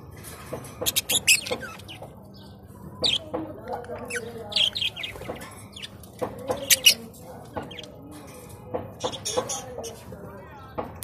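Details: Budgerigars, Australian parrots in blue, green, red and yellow, giving short high chirps and squeaks in scattered bursts, several overlapping, over a low steady hum and softer warbling chatter.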